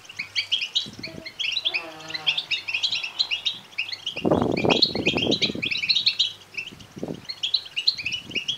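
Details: European goldfinch chick begging chorus of high, crowded chirps, interrupted early by a lower, drawn-out harmonic tone and later by a burst of rustling and thumping.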